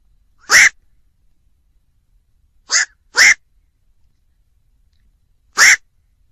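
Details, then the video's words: Harsh, croaking single calls of a black-crowned night heron, four abrupt barks with long pauses and two arriving close together; no other sounds. "tiếng vac"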